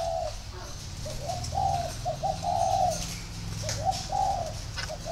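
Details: Captive spotted dove at a dove garden in Ba Vì, Hanoi, northern Vietnam, delivering a string of low mellow coos, short notes leading into longer drawn-out ones, with faint chirps of other birds behind.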